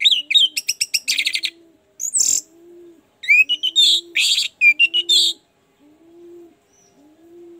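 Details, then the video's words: Orange-headed thrush singing a lure meant to get a quiet bird to sing: fast runs of sharp whistled notes and rattling trills for about five seconds, then a pause filled by slow, repeated low coos. "Pancingan anis merah, agar cepat ngeplong"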